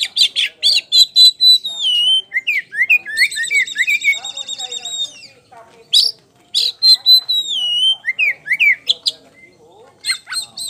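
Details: Lively ngeplong song from a champion kacer poci, an oriental magpie-robin, used to lure other birds: sharp rising and falling whistles, buzzy rattles and chirps in fast bursts, with a short quiet gap midway.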